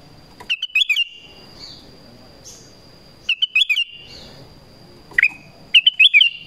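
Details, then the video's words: Vocal Black-crested bulbul call for luring wild birds: three quick phrases of bright, chattering whistles roughly every two and a half seconds, with a faint continuous high hum behind them. "SUARA PANGGILAN KUTILANG EMAS"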